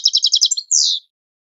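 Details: Training song of a European goldfinch: five quick, evenly spaced chirping notes followed by a single long, harsh, descending buzzy note, high-pitched and clean with no other sounds.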